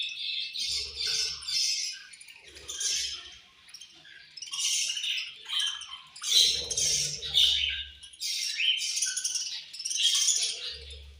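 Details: Budgerigars in a cage chirping angrily while they eat, rough buzzy squawks and chatter in waves every second or two, rising and falling in loudness, with low rustling and tapping between bursts.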